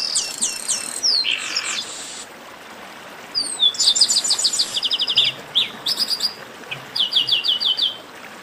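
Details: Many chestnut-capped blackbirds calling at once, played to warm up singing birds. Bright repeated whistles and a rasping buzz open, then after a pause come dense runs of quick chirps and trills.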